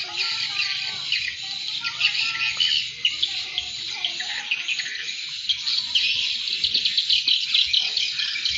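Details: Swiftlets, a lure call used to attract other swiftlets: dense, continuous high twittering with rapid overlapping chirps and clicks, steady in loudness throughout, with faint lower chirps early on.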